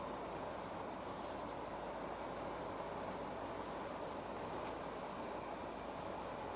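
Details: Thin, piercing, very high call notes from a spotted flycatcher feeding young in the Moscow region. Brief chips and quick falling strokes repeat irregularly, roughly twice a second, against a steady muffled background rush.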